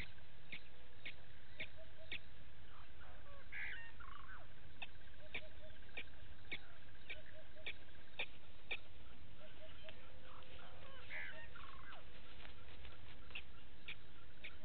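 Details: Blacksmith lapwing family with a single chick at Gowrie dam waterhole, Djuma Game Reserve, Sabi Sand Wildtuin, South Africa, 06:28, 09/08/18; hard, metallic tink notes repeat about twice a second throughout, over a constant low background rumble.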